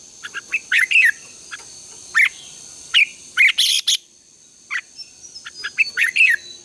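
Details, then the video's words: Red-whiskered bulbul contest singing in the morning, used as lure calls: scattered short warbled notes and chirps, a couple of louder harsh bursts, and a constant faint high tone. "Luyện chào mào hót sáng | chào mào hót đấu"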